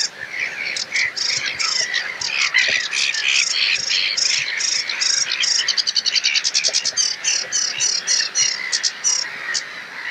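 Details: A sedge warbler in full song in a reed bed on a wetland reserve: a fast, scratchy medley of chattering notes, churrs and sweet trills, with rapid rattling bursts running almost without pause.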